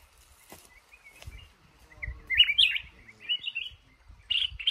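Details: Trapped male red-whiskered bulbul in a cashew garden giving bright, tumbling whistled phrases that grow louder after a quiet start. Soft low knocking sounds are in the background.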